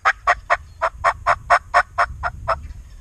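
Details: Wild turkey gobbling during a youth season hunt in Iowa: a loud, rapid gobble of about eleven throaty pulses, fading slightly toward the end.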